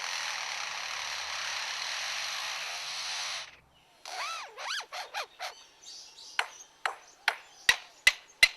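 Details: Superb lyrebird of Australia, a male's mimicry display song imitating other birds and mechanical sounds: a steady broadband hiss for three seconds, then looping whistled notes and sharp clicking snaps repeated about every half second.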